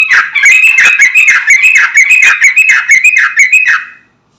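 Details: Yellow-vented bulbul in full song as a lure for young and flock bulbuls; a continuous run of rapid bubbling, chattering notes lasting about four seconds before stopping.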